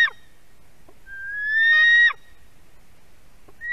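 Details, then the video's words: White-tailed eagle chick begging at fish delivery, Latvian nest camera at Durbe, late August 2020 afternoon; one long scream starting as a clear whistle and turning harsh, with brief fragments of other screams at the edges. "Jūras ērglis~ Dangerous fish delivery by Milda for her screaming devil"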